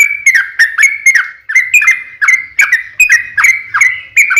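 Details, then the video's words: Rolling lure song of a trucuk meant to get other birds to sing back, made of repeated clear whistles with crisp attacks and falling tails, about two per second. "SUARA trucukan gacor ROPEL PANJANG pancingan trucukan agar bunyi JADIKAN burung trucuk gacor NYAUT"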